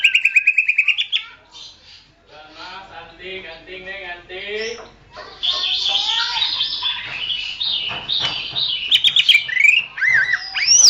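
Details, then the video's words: Greater green leafbird singing on a training track for songbirds: a quick rattling series of whistled notes, a low harmonic warbling passage, then a long bright stream of jumbled whistles and chatter ending in sharp slurs. "masteran suara burung cucak ijo"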